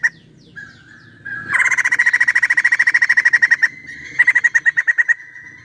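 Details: A female white-crested laughingthrush gives a loud, harsh pulsed chatter. A few soft notes lead into a long rapid rattle, then a short pause and a second, shorter burst of the same grating notes.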